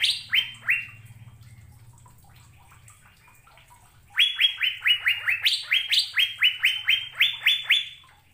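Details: Asian fairy-bluebird singing vigorously and melodiously: two brief notes, a pause, then a rapid burst of about a dozen short downslurred whistled notes, each falling slightly, with a few higher accents between them.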